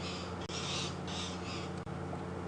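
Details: Magpie shrikes perched in a bush and buffalo thorn above a male leopard at a dam, shouting to announce the leopard; harsh, raspy chattering bursts repeated about every half second over a steady low engine hum.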